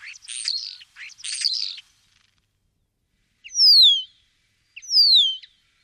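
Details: Common starling in song, Wittlich, 2017: two harsh, grating phrases, then a pause and two clear, drawn-out whistles that slide steeply downward, each with a short click just before it.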